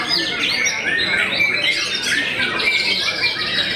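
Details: White-rumped shama, a well-known bird said to make many rivals back down, giving a dense, rapid run of varied whistles, chips and squeaky notes with no pauses.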